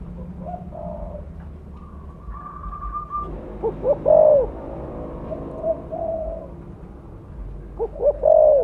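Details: Mottled 'blorok' spotted dove lure call: low mellow coo phrases heard twice, mixed with steady higher whistled tones and softer background calling.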